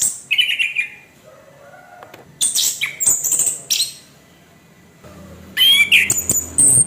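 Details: Orange-headed thrush, a kept cage bird, giving harsh song used to provoke other birds: scratchy high bursts and buzzy notes in short phrases, some lower whistled slurs, pauses between bursts.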